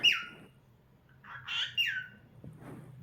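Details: Cockatiel kept as a pet, singing: a few clear whistled notes that slide downward, with a short buzzy burst between them, over a steady low hum.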